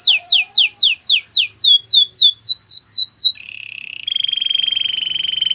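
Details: Canary singing a training song: a quick string of sharp descending whistled sweeps, then a low buzzy roll and a steady, high, rapidly pulsing trill to the end.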